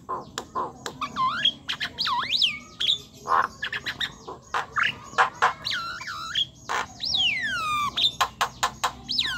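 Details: Javan myna in lively chattering 'gacor' song, played to provoke quiet mynas into singing: harsh squawks and clicks mixed with looping, slurred whistles that swoop down and up, delivered in quick, irregular bursts.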